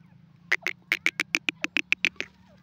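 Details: Gora teetar, the grey francolin, gives a fast string of about a dozen harsh, clipped notes in roughly two seconds, each note sharp and evenly spaced, over a steady low hum.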